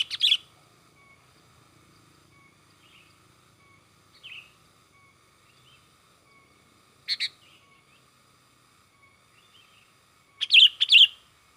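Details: Sooty-headed bulbul, excited singing used as a lure: scattered bursts of loud, harsh chattering notes at the start, around seven seconds and near the end, with a few soft whistles between long quiet gaps.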